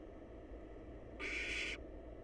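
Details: One drawn-out, breathy screech of about half a second comes from young wild barn owls huddled in a nest box awaiting their next meal, set against a steady low-pitched hum.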